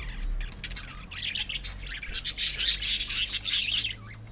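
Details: Budgerigars kept together as pets produce scratchy, high chirping that builds into a dense, loud burst of overlapping squawks before fading.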